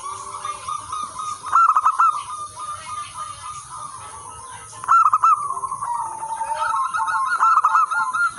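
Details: Local wild-type zebra doves cooing energetically, used to attract and teach other zebra doves; fast rippling trills in overlapping rolling phrases, two louder bursts, and a steady thin hum throughout.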